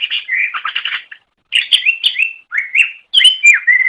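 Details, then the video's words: Short masteran excerpt of a greater green leafbird: dense chattering trills, then clear slurred whistles dropping and rising in pitch, delivered in three close bursts. "MASTERAN GACOR - Suara Burung Cucak Ijo"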